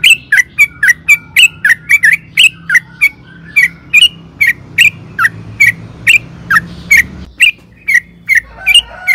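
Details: Sooty-headed bulbul singing vigorously, used to provoke other bulbuls to reply. Sharp, clipped chirps are repeated roughly twice a second for nine seconds, each note flicking downward, over faint low hum.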